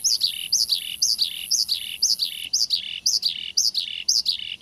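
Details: Male Australasian bushlark in lively voice, used to draw a reply from another bushlark: regular, paired, high buzzy notes that fall in pitch, repeated about twice a second against a faint constant hiss.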